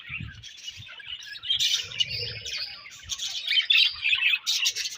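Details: Colony of budgerigars keeping up a fast, chattering stream of warbled and buzzy chirps, rising to louder scratchy outbursts, with light low tapping beneath.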